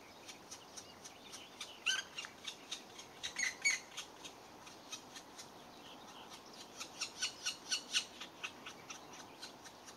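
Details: Black woodpecker feeding its young: harsh, noisy begging notes in quick uneven series, a few per second, with louder squawking bursts near two and four seconds and a dense run toward the end, over steady background hiss.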